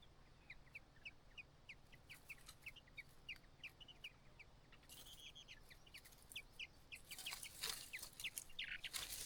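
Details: On fledging day, a White-browed laughingthrush mother calls her single chick to leave the nest: a long run of brief, bright, high chips, about three per second, with loud rustling bursts midway and near the end.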